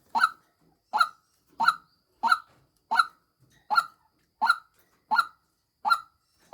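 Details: Female white-breasted waterhen kept as a decoy bird, giving harsh, nasal croaking notes repeated steadily about every 0.7 seconds, nine in a row, in an otherwise quiet setting.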